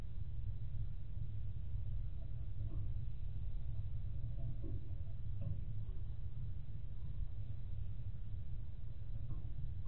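Steady low rumble dominates throughout, with faint indistinct murmurs in the mid range and no animal calls.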